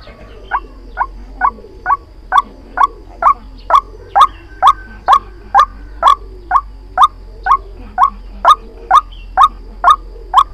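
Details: White-breasted waterhen lure call used for trapping, a long, very even series of loud, clipped croaking notes repeated about twice a second for the whole stretch, with a faint hum underneath.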